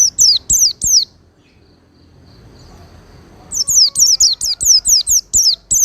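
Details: Oriental white-eye, master song for cage-bird training, smooth and powerful. Three high falling whistles, a long quiet gap, then a brisk run of about eight similar sharp notes, with faint low noise throughout.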